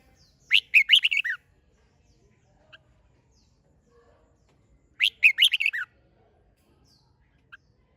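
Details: Red-whiskered bulbul delivering competition song used to provoke birds to sing. Two matching phrases of rapid, rolling whistled notes, about four and a half seconds apart, with near silence around them.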